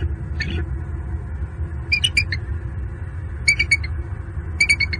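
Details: Wild bald eagle pair in Southwest Florida, heard mating at their nest tree on an evening in late November 2022, picked up by a live nest cam. Short bursts of high, harmonic chittering notes come in four separated clusters over a steady low background hum.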